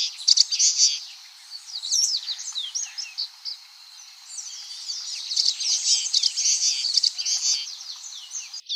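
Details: Unaltered common waxbill song: a long, continuous twittering of high, quick, slurred and buzzy notes that dips slightly in the middle, then rises again into steady chatter.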